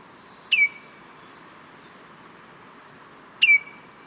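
Baltimore oriole giving two brief, clear whistled notes about three seconds apart, each sliding down then holding steady, over a constant soft hiss.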